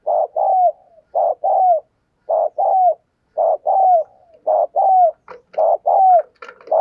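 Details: Spotted dove decoy cooing persistently to stimulate others: about eight phrases in under seven seconds, each a brief note and a longer falling coo, with some clicking and rustling near the end.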